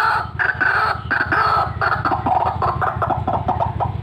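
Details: White-breasted waterhen, a vocal fighter-type bird recorded as a calling sound for luring: loud, harsh croaking notes repeated about three times a second in a steady rhythmic series, with faint background hum.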